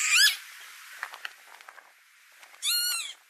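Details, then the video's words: Calling northern lapwing, tulip fields of Noordwijkerhout, Netherlands, May 2018: a short sharp upward-swept cry opens, faint ticks and distant sounds follow, then a longer harsh wheezy note closes. "Northern Lapwing - Kiebitz - Vanellus vanellus - calling"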